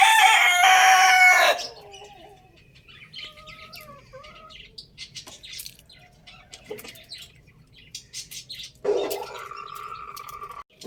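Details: Young rooster, running about, gives a loud, harsh crow in the first second and a half. Quieter, thin calls follow, then a shorter, rougher crow-like burst near the end over a faint background.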